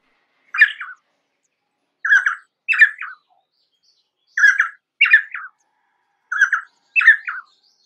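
Painted spurfowl giving harsh, grating squawks in paired and tripled bursts, repeated about every one to two seconds against a quiet background.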